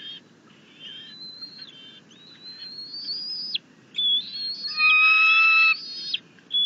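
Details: Bald eagle at the nest on 6.10.21, an eaglet with a freshly delivered rabbit wanting its father, who brought grasses, to leave; loud, high whistled piping notes in bursts, some flat and ringing, some slurring, with short pauses.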